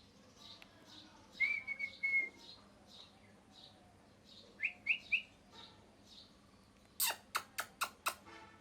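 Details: Pet parrot, feathers lost to molting, gives soft scattered chirps, a short whistle, then three quick rising chirps, and ends with five harsh, clipped squawks at a steady pace.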